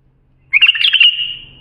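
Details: Single bubbling bulbul phrase, used to teach young bulbuls: a sudden bright warble of rapid notes that settles into a held high tone and fades, after brief silence.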